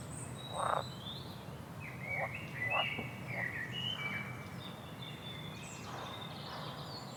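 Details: Bird song with a run of short warbled whistles at mid pitch, higher thin notes above, and an occasional dull knock, over continuous low background noise.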